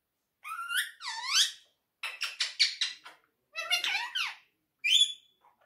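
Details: A pet quaker parrot speaking lovely in a talkative mood: sweeping, speech-like phrases, rapid clipped syllables and a final short whistled note, separated by brief pauses.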